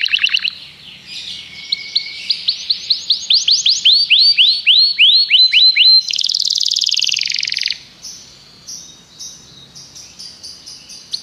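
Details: Common canary song: a sequence of rising whistled slurs speeding up, then a dense buzzy roll, followed by softer high chips at the end.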